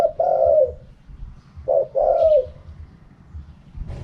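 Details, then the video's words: Spotted dove in 'karam pa' wild-style voice: two rich coo phrases, a brief note then a long falling hoot, followed by a quiet pause and faint noise. "เสียงนกเขาใหญ่ คารมป่า 100"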